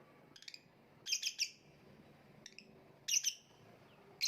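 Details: Lovebird in a hanging cage making clusters of rapid, scratchy high chirps, quick triplets separated by short silences, with faint soft ticks between.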